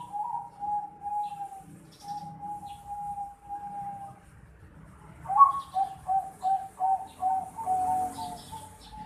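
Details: Zebra dove chick of the Bangkok type, aged 4.5 months, first giving drawn-out thin whistled notes, then a faster run of short, clipped, slightly rising notes, about two or three a second, in a quiet setting.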